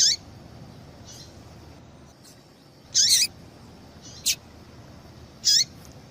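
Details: Female yellow-bellied seedeater calling to prompt male song: scattered short, high chips, some with a downward slur, roughly one every second or so, loud and faint notes alternating over low hum.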